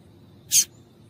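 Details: Female double-collared seedeater giving a call meant to warm up males and get them singing: a single short, harsh, high chip lasting about a fifth of a second over faint low background hum.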